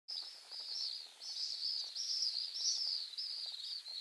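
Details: Wild Pacific swifts at a breeding site in Mongolia: a continuous high, shrill, wavering screaming trill that swells and fades over four seconds, with faint lower clicks beneath.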